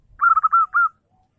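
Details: Morning song of a zebra dove: a quick run of five mellow, burry cooing notes, the last two longer and drawn out, with faint low rumbling at the start and otherwise quiet surroundings.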